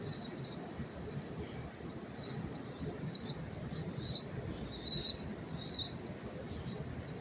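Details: Pigeon chicks in New York City, recorded close up in early September 2023, give high, thin wheezy whistles, each lasting about half a second and repeated roughly once a second, against a constant low urban hum.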